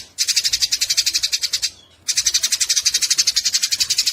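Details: Fighting Eurasian tree sparrows, recorded as tutor material for songbirds, give fast harsh chattering that stops briefly near the middle and then resumes just as densely.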